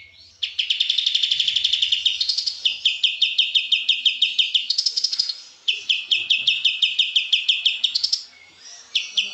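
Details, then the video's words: Energetic high-pitched white-eye song used to tutor caged birds: dense trilled runs and rapid chip series in several long phrases, with brief buzzy flourishes between them and a quiet low hum early on. "kapas tembak gacor"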